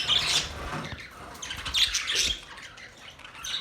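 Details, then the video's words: Parrot squawks in a few loud, harsh bursts separated by quieter chatter, the calls coming roughly every one to two seconds. "Parrot chirping sounds"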